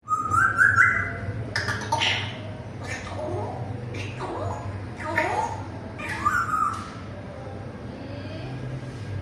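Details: Pet African grey parrot talking: a series of short speech-like phrases with sharp clicks and whistled tones, some rising and falling, spread over about nine seconds, over a steady low hum.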